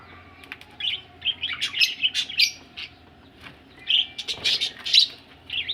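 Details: Budgerigars ready for laying eggs warble and twitter in bursts, soft trills mixed with brighter chirps, a pause midway, then another lively run of chirping; a low hum lies underneath.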